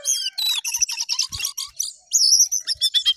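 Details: Jongkangan singing vigorously, rapid high chirping phrases, a short pause, then loud clear whistles alternating up and down.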